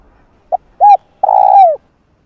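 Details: Spotted dove in a lure recording aimed at wild birds: one phrase of a brief clipped note, an arched coo, then a long vibrating coo that slides downward at the end, with no other sounds.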